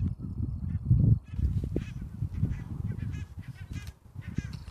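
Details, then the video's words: Barnacle geese at RSPB Mersehead, Dumfries & Galloway, giving overlapping short, nasal yapping calls from many birds at once, over steady low wind rumble. "Barnacle Geese at Mersehead"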